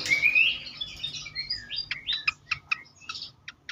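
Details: Agitated fantail, recorded for luring and stimulating other birds: a high, rising whistled phrase, then sliding whistles and a run of sharp clipped chirps, spaced irregularly.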